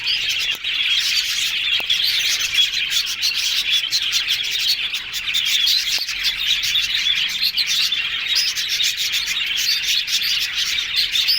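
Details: A group of happy yellow budgies talking at length: continuous high twittering, chirps and squeaky warbles with many overlapping voices, plus a few faint clicks and knocks.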